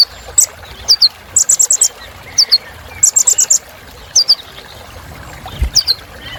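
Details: Kolibri Ninja sunbird in a lavish filler song used to spur other birds into singing, short rapid bursts of very high, clipped notes in runs of four or five, mixed with paired falling squeaks, separated by brief pauses over soft background hiss.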